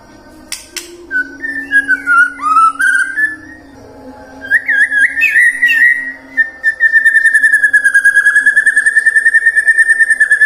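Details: White-rumped shama song, intended to prompt singing at morning, midday and afternoon: varied whistled phrases and sharp clicks, then a long, rapid, steady trill wavering slightly in pitch, with a low hum beneath.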